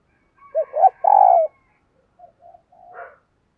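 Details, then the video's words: Spotted dove kept as a decoy, calling to draw in wild doves: a short clipped note, a husky double note, and a long sustained coo, then a few soft fainter notes trailing after. "Tiếng Chim Cu Mồi GÁY GỌI Bổi"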